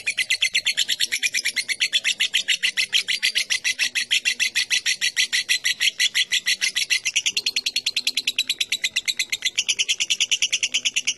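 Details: Lovebird ngetik chatter, a rapid series of sharp high clicking chirps repeated about three times a second, steady and dense throughout with a slight shift in tone near the end.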